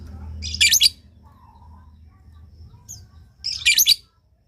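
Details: Lovebird calls meant to draw replies from other lovebirds: two loud, harsh, high shrieking bursts about three seconds apart, soft chirps and a low hum between them.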